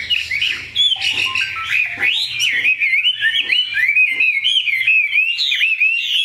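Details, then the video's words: Large, tame Chinese hwamei kept in a cage, praised for an outstanding voice, sings a loud, fluid stream of curling whistled phrases, sweeping up and down with scattered sharp accents. "Mi họa thuần, bộ to, chất giọng cực hay"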